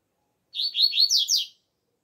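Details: Double-collared seedeater singing outdoors in the alegria tuí tuí zeo zeo style, used as a training song: one rapid one-second phrase of high, sweeping, slurred whistled notes, rising in pitch toward the end, against silence.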